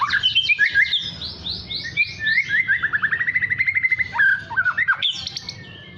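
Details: Young white-rumped shama learning its song: high whistles and fast stuttering notes, then a long, steady series of quick, repeated, mid-pitched chirps, ending in sharp, varied whistled phrases.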